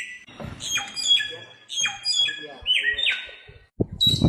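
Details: Bare-throated whistler (samyong, locally garugiwa), a wild bird endemic to Nusa Tenggara, Indonesia, on Flores and Sumbawa. It sings clear high whistles that slide and drop in short phrases, with low thumps and rustling underneath.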